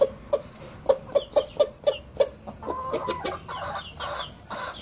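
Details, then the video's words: Young Collonca rooster making its first crows: a run of sharp, evenly spaced clucks, then a rough, hoarse, unfinished crow. "Empezando a Cantar Mi Gallo Kollonko"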